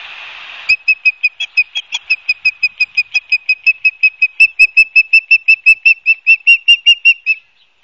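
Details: Ospreys at a nest watched by a live cam at Barnegat Light, New Jersey, on 12 September 2022 around 16:34; a long steady run of about thirty sharp whistled notes, nearly three per second, after a brief hiss of noise at the start.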